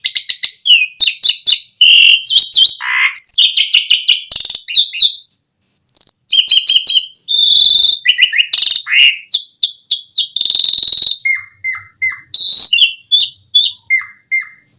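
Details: Asian pied starling in long, varied song used to lure starlings to sing: dense chirps, rising and falling whistles and buzzy chatter, ending with a series of short, evenly repeated sharp notes.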